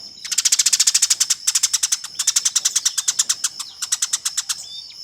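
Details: Eurasian tree sparrow fighting, a master recording for training competition birds: rapid bursts of harsh, high chirps, about ten per second, in three or four runs separated by brief gaps, over a steady high whine.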